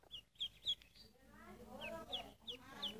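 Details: Ducklings peeping: short, high, downward-slurred chirps, some in quick pairs and others spaced out, with a softer murmuring harmonic sound in the middle.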